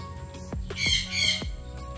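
A sun conure gives two loud, harsh, grating squawks in quick succession over soft background music.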